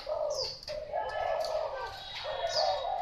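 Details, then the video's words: Cooing of a Thai-type spotted dove: soft, low, drawn-out hoots in two or three phrases, mixed with a couple of quick high whistled chirps from other birds. "Cu gáy Thái"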